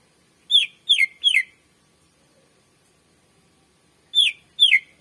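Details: Greater green leafbird song, recorded as a training and lure track for other birds: three bright, slurred, downward-sweeping whistles in quick succession, a short silence, then another run of three similar falling notes.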